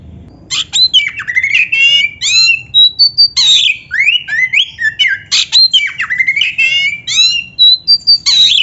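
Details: Energetic kacer song recorded for training young, practising or quiet caged birds to sing: a dense, varied stream of loud whistled slurs, rising and falling sweeps, and sharp chattering notes with barely a break.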